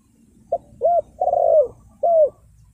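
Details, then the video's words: Spotted dove calling as a lure for wild birds: one brief low coo, a second coo, a long purring rolled coo, then a final drawn-out coo, all deep and mellow, in quiet surroundings. "Chim cu gáy chiêu kích mồi tập bổi nhanh nổi hiệu quả"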